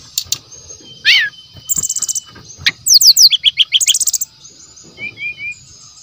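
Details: Natural voice of a forest brown-chested jungle flycatcher used as lure material: a rising buzzy note, rapid high trills and a run of steep downslurred chirps, closing with soft, low warbled notes.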